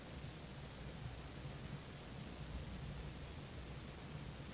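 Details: Steady broadband hiss fills the whole stretch, with no animal voice anywhere in it.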